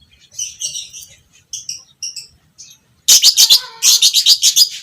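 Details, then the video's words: Violet parblue creamino lovebird, fighter type, used as a tutor for long ngekek chattering in other lovebirds; soft paired squeaky notes first, then a loud, fast, harsh pulsed chatter to the end. "Masteran Burung Lovebird Fighter Ngekek panjang - Suara Burung lovebird biola pb creamino"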